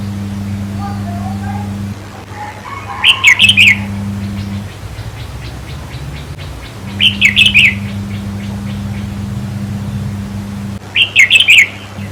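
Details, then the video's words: Red-whiskered bulbul song played to caged birds to make them excited during decoy trapping. Three short, bright, warbling phrases come about every four seconds, each a tight cluster of chirpy whistles, over a steady low electrical hum. "ต่อเพนียดนกกรงหัวจุกแก้มแดง เปิดให้นกฟัง ยั่วให้นกคึก"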